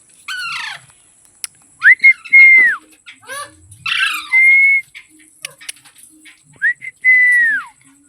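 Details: Ringneck parrot calling: sharp, harsh rising-and-falling squawks alternate with three clear, sustained whistled notes that swoop up, hold steady, then slide down, plus a few short chattering bursts over a faint, constant high-pitched whine.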